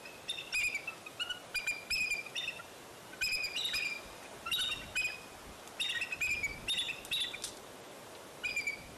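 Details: Bald eagles at the Fraser Point nest, recorded 04-10-2019, around eaglets falling out of the nest and their return. Clear high, thin chirps and piping notes in irregular bursts, some drawn out and slurred, with quiet rural background.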